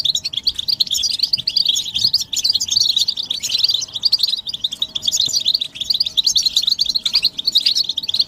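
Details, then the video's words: European goldfinches in group song, offered as the strongest stimulation for males to sing: dense rapid tinkling twitter throughout, pulsing in short waves, with a faint electrical hum in the background. "بتبتة الحسون تحفيز الحسون على التغريد والهيجان علاج صمت الحسون goldfinch stimulation"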